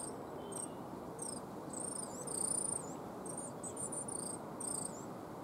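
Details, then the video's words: Coal tit calling from a yew tree, Cambridge, UK, in March, shortly before a sparrowhawk landed nearby: brief, very high thin whistles and short wavering phrases spaced about half a second to a second apart over constant background noise. "what panicked all the bird, but the bird making that strange noise before was a coal tit in my yew tree. Then"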